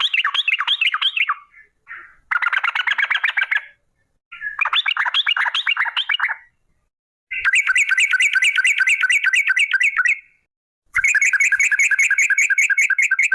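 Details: Yellow-vented bulbul lure song with long 'ropel' trills: five extended bursts of fast repeated notes, early ones warbling and rising, later ones a steady rapid rattle lasting about three seconds each, no other sounds.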